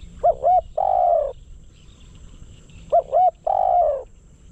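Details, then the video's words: Decoy spotted dove calling to lure wild doves, two clear phrases close together, each two quick hooked coos leading into a longer smooth croo, loud over a quiet background. "เสียงนกเขาใหญ่ นกต่อ"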